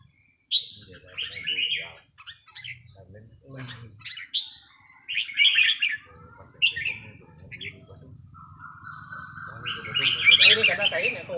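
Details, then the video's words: Red-whiskered bulbuls in practice deliver scattered whistled phrases. A steady rising tone and low background rumble build toward the end. "ซ้อมนกกรงหัวจุก วันว่างๆ"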